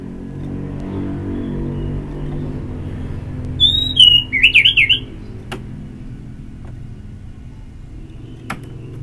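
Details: Orange-headed thrush ngeplong song meant to prompt singing. One phrase of a clear high whistle dropping into a fast warbled trill, with faint background hum and a couple of clicks.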